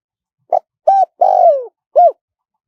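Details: Spotted dove in wild 'karom pa' style with a small voice, with khat, nun and ku ang parts, played to lure wild doves: one four-note phrase of a short coo, two full hoarse coos and a long falling drawn-out coo, in silence.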